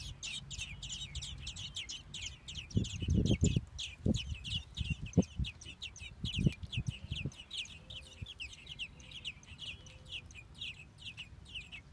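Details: Young American robins in a Minnesota nest, fed by both parents, keep up fast, high-pitched chirping throughout, while loud low thumps and rustles cluster in the middle, then the chirps continue over quieter background.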